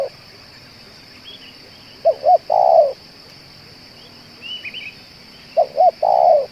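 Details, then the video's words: Spotted dove cooing, a bird kept as a lure and said to call for two hours straight; a pair of brief coos followed by a long sustained note, repeated twice with a quiet gap between, soft high chirps of small birds in the background. "BL ini tahan bunyi dan menguku 2 jam‼️ cocok untuk di jadikan pikat"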